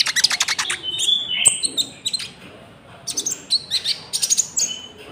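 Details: Konin lure song with cricket sounds, used for trapping wild birds and training caged birds: a rapid, chattering stream of high clicks, trills and short whistled notes, with a steady low background hum.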